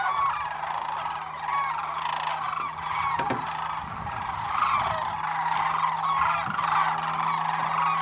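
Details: Large wintering flock of sandhill cranes at Whitewater Draw Wildlife Area, Arizona, giving constant overlapping rattling bugles; several louder individual calls stand out over the steady chorus, with a brief low thump near the middle.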